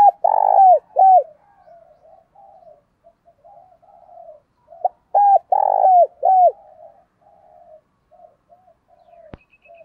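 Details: Spotted dove used as a lure bird, cooing to provoke wild doves, in the thổ voice style: two bursts of deep, hollow coos, a short note then longer rounded notes, separated by a pause with soft, faint cooing between.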